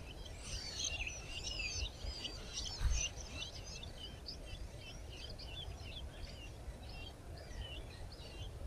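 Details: Red-backed shrike feeding its chicks: dense, rapid high-pitched chirps and short twittering notes run almost continuously, loudest in the first three seconds, over a steady low rumble of background noise.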